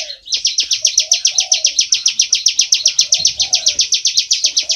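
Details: Bar-winged prinia singing loudly and continuously in the rapid ngebren style: a steady high buzzy trill of sharp notes repeated about seven times a second throughout, with faint low background sounds beneath.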